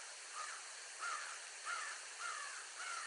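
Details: Adult bald eagle pair, mother and father, with a flyby: five thin, high chirping notes about every half second over a strong, steady hiss.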